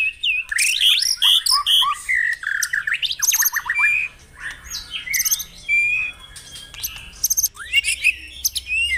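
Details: White-rumped shama full song played to make caged birds sing at morning dew-airing: dense bursts of varied whistles and chattering chips, a softer gap midway, then scattered bright whistles and trills.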